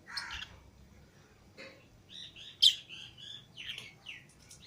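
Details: Pet lovebirds, a green Fischer's pair and a lutino pair, out of the cage with other lovebirds, give a mix of squeaky twitters and one loud sharp shriek, with irregular high chirps after it.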